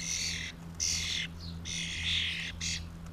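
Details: Family flock of common starlings coming down for mealworms: long raspy, hissing squawks repeated about every half second, with one short whistled note between them, over a steady low mechanical hum.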